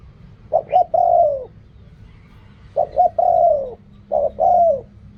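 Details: Spotted dove cooing in the Thai riak kham, khu kham and ok rong styles. There are three phrases roughly every one and a half seconds, each made of quick stuttered notes and then a long, mellow coo that falls away.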